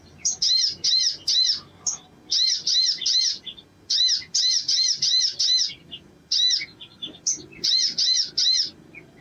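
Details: Male sogon (sogok ontong) singing lively, high chirping notes grouped in quick runs of three to five, each run separated by brief pauses, repeated steadily and sounding emphatic.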